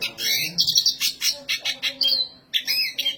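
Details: Black siskin in vigorous high song: a long buzzy trill, then choppy rasping notes and a drawn-out descending whistle, a short silence, and a fresh burst of scratchy chatter.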